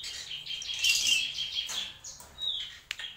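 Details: Black-winged myna (jalak pito) singing tembakan style, with a dense, noisy run of high squeaky warbles followed by a single falling whistle and a sharp click.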